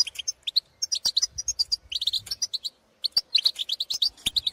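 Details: Field goldfinches giving pitorreos and calls to others of their species: quick bursts of bright, clipped chirps and liquid twitters, broken by a short silent gap near the middle before the chatter resumes.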